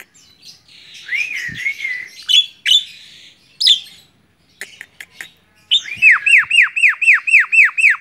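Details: A tame Javan myna perched on a hand sings a wavering whistle and scattered harsh notes, then a quick series of about eight ringing, down-slurred chirps.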